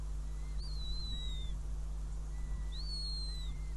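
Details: At a nest in Riga on 5 June 2016, a northern goshawk is heard around mouse prey. Two sharp, high whistles start abruptly and then slur gently downward, with fainter lower tones beneath and a steady background hum.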